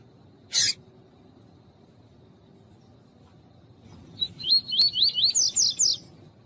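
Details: Tui-tui style song of a rusty-collared seedeater, a tournament bird used to excite other males. A sharp click comes first, then after a pause a rapid series of high looping whistled notes that grow louder and brighter toward the end.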